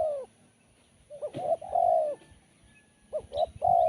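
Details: Spotted dove, its song described as sharp and crisp, repeating its coo: short clipped notes followed by a long steady mellow note, two phrases with a soft knock in between.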